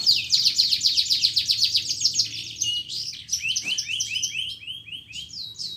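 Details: Energetic canary song meant to stimulate silent canaries: a quick, buzzy chattering trill repeated several times a second, then a run of lower swooping notes and a few high whistles.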